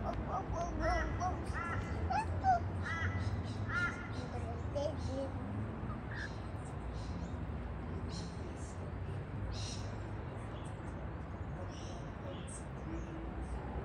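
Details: Rainbow lorikeets eating white bread on a patio give harsh, nasal squawks in the first few seconds, then a steady stream of shrill, high twittering chatter over a low background rumble.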